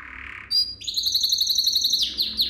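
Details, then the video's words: Canary song for tutoring young canaries: a soft buzzy phrase, a sharp whistled note, then a loud rapid trill that rises and holds high and bright. "Most powerful song for training Canary"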